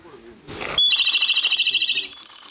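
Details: A Japanese robin singing at a mountain pass gives a sharp high opening note, then a fast ringing trill of about twenty notes lasting a second, after a brief rustle.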